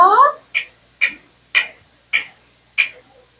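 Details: Pet Indian parrot, known for talking, makes a nasal squawk followed by five crisp clicks spaced about half a second apart, in an otherwise silent room.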